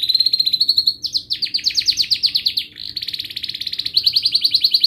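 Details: Canary in long continuous song, played to prompt young or silent canaries to start singing: a level high whistled note series, then rapid falling slurred notes and fast rolling trills, with no pauses.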